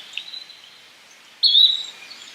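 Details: Yellow-bellied flycatcher producing one clear, brief upslurred whistle after a quiet stretch of faint high background hiss and soft distant chirps.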